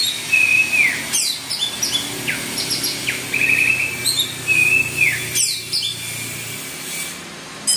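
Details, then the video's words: Orange-headed thrush singing in the energetic teler style, used as a lure to set other birds singing: clear whistled phrases with sharp downslurred notes, mixed with quick high chirps and short buzzy bursts, in a steady flowing sequence. "PANCINGAN ANIS MERAH GACOR TELER"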